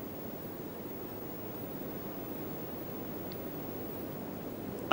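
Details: Steady, even rushing noise with a soft low rumble throughout, and no clear calls or voices.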